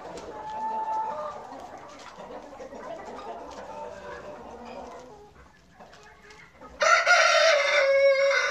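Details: Chickens on a farm during a short farm tour: continuous overlapping clucking and murmuring from a flock, then a loud harsh drawn-out crow bursts in near the end and holds for almost two seconds.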